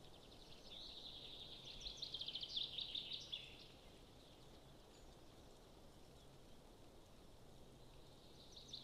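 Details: Golden eagle at its nest in Estonia, June 20, 2022: a quick series of thin, high, evenly repeated chips lasting about two seconds, followed by steady quiet outdoor background noise.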